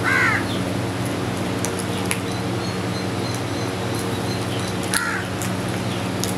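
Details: Two short hoarse caws, one at the start and one near the end, from crows eating together, with long quiet gaps filled by a low hum and faint clicks.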